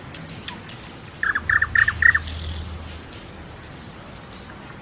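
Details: Nightingale singing a quick run of clipped, repeated mid-pitched notes lasting about a second. Sparse high ticks come before and after it, with a faint low hum underneath.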